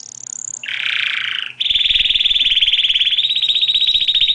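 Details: Canary singing: a high whistle, then a buzzy harsh phrase, then a long fast trill of rapid repeated notes held at a steady high pitch.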